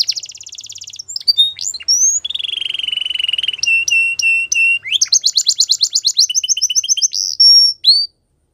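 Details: Canary song full of changing phrases: a rapid trill, lower rattling rolls, evenly spaced sharp clicks, then a bright fast roll and a final whistled slur.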